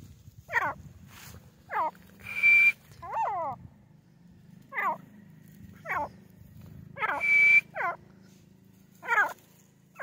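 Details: Grey francolin, known locally as teetar, calling: loud harmonic notes that sweep downward, given in short groups about every second. A thin steady whistle appears twice, with a low hum in the background.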